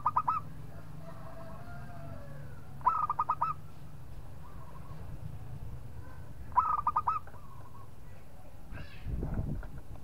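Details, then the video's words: Local zebra dove singing to draw out a rival, three bursts of quick, stuttering cooing notes about three seconds apart, softer cooing from other doves between them, and a low thump near the end. "PERKUTUT LOKAL GAJOR JAGO MEMANCING LAWAN BUNYI"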